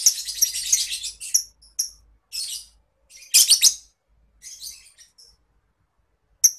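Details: Lovebird ngekek, a chattering song, offered as a master sound for contest bird training. Dense, rapid, high-pitched buzzy chatter opens, then broken bursts of squeaky twittering notes with short gaps, ending in one sharp squeak.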